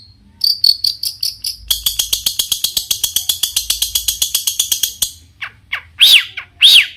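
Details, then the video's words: Long-tailed shrike song used to provoke other shrikes into singing: a few high chips, then a rapid, steady run of harsh buzzy notes, ending in two loud rising-falling whistled calls. "cendet gacor Variasi BIANGNYA bikin cendet lain emosi ikutan bunyi langsung NYAUT"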